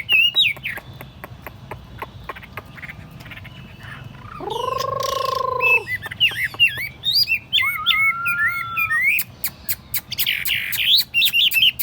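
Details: Tame caged Chinese hwamei on a table. Quiet ticking opens, a low droning harmonic sound intrudes midway, then bright twisting whistled phrases and a level whistle follow, ending in rapid buzzy notes.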